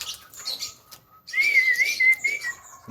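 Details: Highly vocal Javan myna producing a clear, wavering whistled tone that holds a fairly steady pitch for over a second, preceded by faint scratchy notes and a thin lower whistle.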